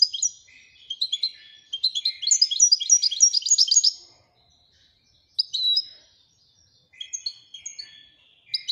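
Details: European goldfinch from Morocco singing the Widania style: a long, rich passage of fast high twitters and trills building to a dense flurry, then scattered bright chirps after a pause.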